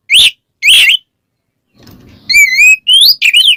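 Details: Oriental magpie-robin in loud, open 'ngeplong' style calling a rival to provoke other birds: two harsh high bursts, a low rough murmur, then clear wavering and rising whistles in quick succession.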